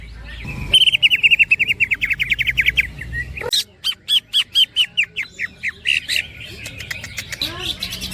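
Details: Caged greater green leafbird singing in the ngerol style with platukan (woodpecker-like) and ngekek phrases: a long run of bright whistled notes that gently drops in pitch, then a fast, uneven series of sharp repeated chips.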